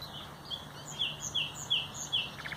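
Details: Common nightingale, 30 April 2021, repeating a clear, sharp whistled note about every third of a second in a steady series, with a low steady hum underneath.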